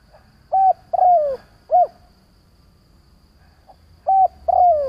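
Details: Spotted dove lure call used to draw and provoke other doves: low, mellow cooing phrases, a short coo, then a longer falling coo, then another short coo. The phrase is heard twice, separated by a quiet pause of about two seconds.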